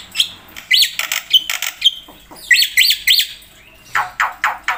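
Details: Jalak putih, the black-winged myna, singing in 'gacor full isian' style for training and luring birds: an irregular mix of squawks, short high whistles, and a quick run of three sharp rising notes, then harsh bursts.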